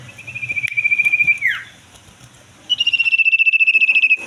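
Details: Common iora in breeding condition; a long, steady high whistle built of rapid even pulses, ending in a downward slur, then after a pause a second pulsed whistle starting slightly higher and settling.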